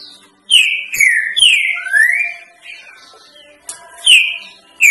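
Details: Tutor song of a green-winged saltator in the 'três notas boi' style for teaching young birds: three bright descending whistles, then a smooth rising slur, with the next phrase starting after a quiet gap.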